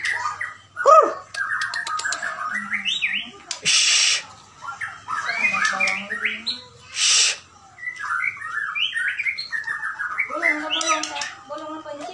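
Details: White-rumped shama of the Bahorok type giving a jumbled sequence of short whistled and chattering notes, interrupted by two loud bursts of noise and a few sharp clicks.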